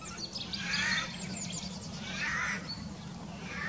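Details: Eurasian jay (Garrulus glandarius) call, recorded in 2019: two harsh, rasping screeches about a second and a half apart, over a steady low rumble.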